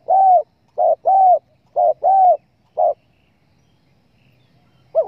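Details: Spotted dove hunting-lure call: three pairs of low coos, each a clipped note then a drawn-out arched one, followed by near silence and one last wavering coo.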